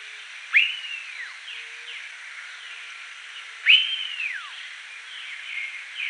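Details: Blue-billed curassow, critically endangered, recorded at Reserva Los Besotes near Valledupar, Cesar, northern Colombia: two loud whistled calls about three seconds apart, each sharply rising then held level and sliding down, with fainter whistles between.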